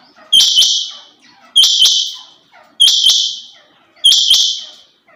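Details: A female rain quail gives four strong, evenly spaced calls about 1.2 seconds apart. Each is a high, buzzy double-struck note that trails off gradually, against a quiet background.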